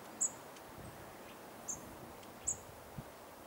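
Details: Goldcrest calling at Dwingelderveld near Dwingeloo, Holland, 10 January 2016: three sharp, very high-pitched tsee notes spread over three seconds, plus faint softer high notes, against a quiet hissing background.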